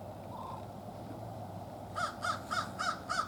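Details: American crow family, wild birds, calling while hanging out together and greeting friends: a run of five loud, harsh caws spaced about a quarter second apart in the final second and a half, after a brief low hum, over steady background rumble.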